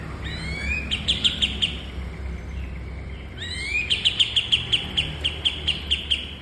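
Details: Bulbul singing for training other cage birds: two bursts of fast, high, evenly repeated chipping notes, each opening with a rising slur and separated by a short pause, over faint hum.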